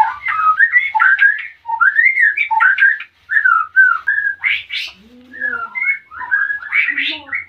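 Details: Male white-rumped shama in breeding condition, captive at Salaman, Magelang, Central Java, wanting to mate while the female builds a nest; loud continuous run of varied whistles, slurs and chattering notes with brief rasping bursts.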